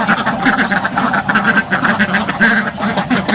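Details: Loud, close quacking from many ducks crowded in a village farm pen, short nasal calls overlapping in quick succession with no pauses.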